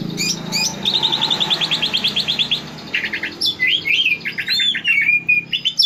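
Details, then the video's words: Green leafbird lure recording meant to draw out varied song: a rapid run of bright, evenly repeated chips, a short pause, then a busy jumble of high whistled and twittering phrases, with a faint low hum underneath. "pancingan burung cucak ijo keluar isian"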